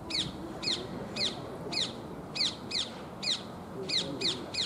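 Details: Feral rose-ringed parakeets at Soja Shrine in Maebashi, Japan, giving harsh, high, downward-slurred squawks repeated about every half second, over steady low background rumble.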